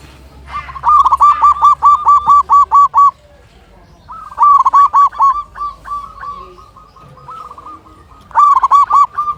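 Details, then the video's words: Loud local zebra dove singing repeatedly; three phrases of rapid, punchy coos, each ending in a run of evenly spaced short notes, separated by brief quiet gaps. "Perkutut Lokal Gacor Suara Besar"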